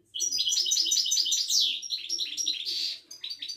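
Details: European goldfinch of the Moroccan Widani type, caged at a Casablanca bird market, delivers a continuous rapid stream of bright twittering notes and a buzzy slurred trill, dense and unbroken.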